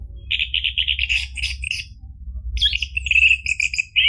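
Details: Song of an orange-headed thrush, played to get a caged bird singing, with a row of repeated rich notes, then a quick rising phrase and a whistled trill, over a faint low hum.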